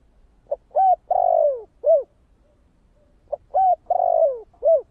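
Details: Thổ kích bổi style cooing of a spotted dove: a repeated four-part phrase with a quick lead-in note, a level hoot, an extended downward-sliding coo and a final arched coo, heard twice with a pause between.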